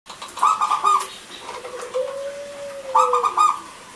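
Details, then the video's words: Local zebra dove in full song, used as a lure to prompt silent male and female doves to sing: two bursts of rapid, pulsed rolling coos separated by a long, smooth, steady lower whistle-like tone. "Perkutut Lokal Gacor,Suara Kristal Untuk Pancingan Yang Macet Bunyi Jantan Dan Betina."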